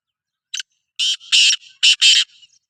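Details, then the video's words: Black francolin, Sindhi kala teetar, calling: a brief harsh note, then four loud, grating, buzzy syllables in two close pairs, delivered within about two seconds on a quiet background. "Kala Teetar Voice | Black Frankoline Voice | Sindhi Kala Teetar Voice کالا تیتر کی بولائی"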